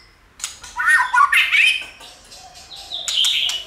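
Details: Scratchy warbled notes give way to a brief high whistled phrase from a White-rumped shama, with quiet gaps between bursts. Used for stimulating shamas to sing.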